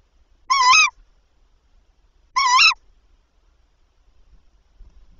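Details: Tawny owl calling during prey transfers in the night of 7–8 April 2023, when the male brought three prey before 01:00; two loud, harsh, quavering calls about two seconds apart in otherwise quiet surroundings.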